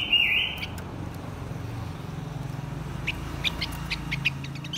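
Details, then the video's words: Blue-winged minla pair, male and female, giving a lure song to stimulate wild birds. It opens with one brief wavering whistle, then a run of sharp, high clicking notes over low hum. "Chim khướu lùn cánh xanh hót mồi kích bổi trống mái"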